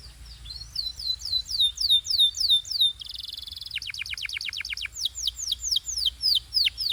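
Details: Canary singing, Belgian style. A series of falling whistled sweeps is followed by a buzzy steady tone, then a fast rattling trill. Clear, spaced descending notes finish the phrase.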